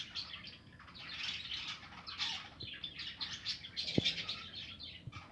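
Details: Aviary budgerigars at their nests, 2020: loud, dense twittering of many birds, chirps and squawky notes running together in waves, with a couple of brief knocks in the background.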